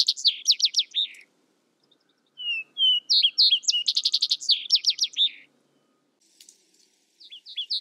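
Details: Vesper sparrow delivering its song: the end of one phrase, a pause, then a complete song of soft opening whistles, a rapid buzzy trill and descending slurs. The next song starts faintly at the close; little background noise.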